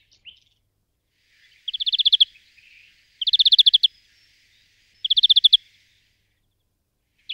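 A European greenfinch gives three quick, dry trills, each about ten bright chattering notes that swell in loudness, spaced roughly every one and a half seconds.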